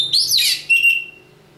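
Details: Oriental magpie-robin of the local East Java type: a brief, sweet whistled phrase that swoops up and down, then a clear, level whistle that fades away.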